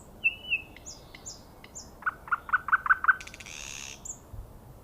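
Common nightingale singing: two clear whistles and thin high notes, then a quick run of six deeper repeated notes ending in a harsh, buzzy rattle.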